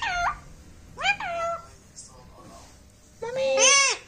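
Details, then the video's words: Pet talking parrot producing speech-like harmonic syllables: two short bent notes early, then a longer wavering utterance at the end, recorded in a small room. "Mujhe bolne do || talking parrot"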